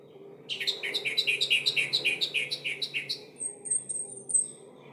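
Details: Lure song of an orange-headed thrush, meant to get silent birds singing: a rapid run of about fifteen identical chirping notes, several per second, then a thin, very high, slightly falling trill.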